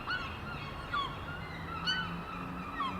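Gull gives harsh, downward-slurred cries about once a second, over a steady low rumble.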